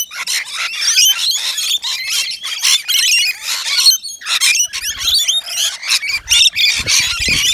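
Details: Rainbow lorikeets feeding on wet nectar mix at a balcony feeder; a steady tangle of piercing screeches and chattering from several birds, with low rumbling knocks toward the end.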